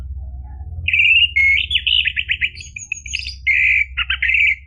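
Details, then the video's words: Continuous orange-headed thrush song meant to make a caged bird sing, a fluent string of whistles, slurred notes and short trills with little pause, above a soft low hum. "PANCINGAN ANIS MERAH biar bunyi"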